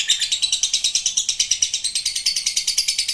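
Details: Lovebird in sustained 'ngekek' trill, the long form called panjang: a continuous high-pitched chatter of fast, evenly spaced pulses, steady in loudness from start to finish.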